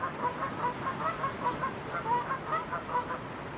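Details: Two Canada geese on a Pacific shore in West Vancouver, British Columbia, honk back and forth one morning as waves roll in: nasal, slightly rising calls overlapping at about two or three per second.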